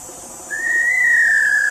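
Small-billed Tinamou giving one long, pure whistled note that rises slightly, then eases down and holds steady, over a faint background hiss.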